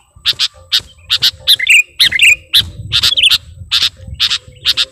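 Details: Singing sooty-headed bulbul answering a rival, with evenly spaced sharp chirps mixed with a few warbled, slightly descending whistles and a faint low rumble beneath.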